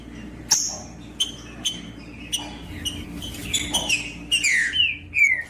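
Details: Trinca-ferro, the green-winged saltator, in song used to stir a quiet bird into singing: soft scattered chips at first, building into loud downslurred whistled phrases over the final second and a half.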